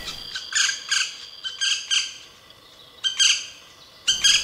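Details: A young male black woodpecker in a nest cavity in a large fir, montane fir-spruce forest near 1200 m, east Chartreuse massif, spring, gives harsh, high, grating squawks in bursts of two or three, about one a second, while waiting for a parent.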